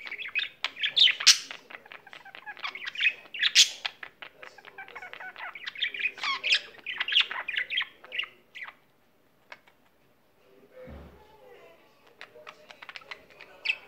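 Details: Caged pet budgerigar in a long singing bout: dense, fast chatter of clicks, squeaks and gurgled whistles for about eight seconds, a brief pause with a soft low thump, then quieter scattered ticks and chirps resume.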